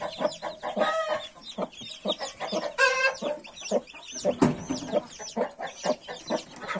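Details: Mother hen among 31 newly hatched chicks: loud, rhythmic clucking mixed with many thin, high, bending chick peeps. A brief rattling burst comes partway through.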